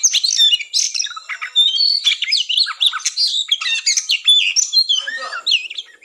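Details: Oriental magpie-robin fighting song, known as kacer tarung ngobra, played before a contest to raise breeding drive: dense, rapid jumble of sharp whistles, rising and falling slurs and buzzy chatter, with a lower warbled phrase near the end.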